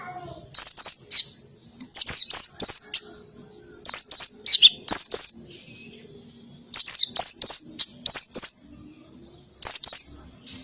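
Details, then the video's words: Oriental white-eye, ngalas song with canary-like shots, meant as tutor audio: short bursts of three to five high, sharp, falling whistles, repeated about every two seconds with quiet gaps between. "PLECI NGALAS,TEMBAKAN KENARI SUPER RIBUT"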